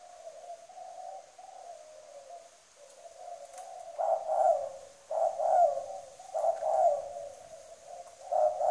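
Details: Spotted dove kept as a decoy in Trà Vinh, Vietnam, cooing strongly: gentle low coos give way to four loud, emphatic coo phrases roughly a second apart.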